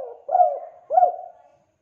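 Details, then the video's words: Tekukur, a spotted dove, cooing to encourage lazy doves to sing: two hoarse, slurred coos about half a second apart, each fading away. "MASTERAN PANCINGAN TEKUKUR MALAS ATAU MACET BUNYI"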